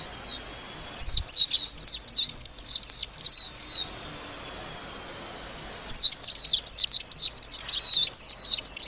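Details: Warbling white-eye song in two bursts, each a quick series of thin, high, downward-sweeping notes, separated by a brief quiet gap of about two seconds.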